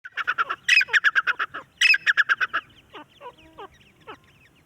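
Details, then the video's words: An Iranian golden male partridge calls in fast runs of harsh, clucking chuk notes, about six or seven to a burst, before quieter chirps from other birds take over. "golden male partridge call"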